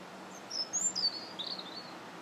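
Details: Robin singing on January 21st: a short run of thin, high whistled notes, some sliding up and down, with a steady faint background hiss.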